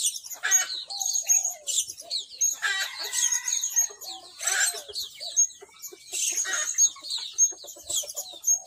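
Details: Blue-crowned hanging parrot used as a decoy to lure other birds, giving rapid high, thin squeaks and sharp chirps in scattered bursts, with some lower whistled notes and faint clucking sounds between them.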